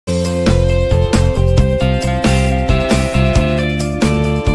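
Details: Strummed acoustic guitar music with steady chords fills the recording, and no birds are heard.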